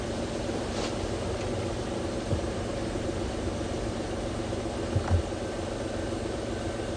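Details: A steady low engine rumble and fan-like hiss from a safari vehicle at sunrise, with a couple of faint clicks and no animal voices.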